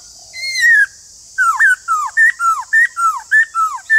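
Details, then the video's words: A white-cheeked laughingthrush gives a long falling whistle, then a quick run of short, clear, bending whistled notes, about two per second, over a steady high hiss, played to stimulate captive birds to sing. "Nếu khướu bạc má nhà bạn đang bị yếu lửa không hót"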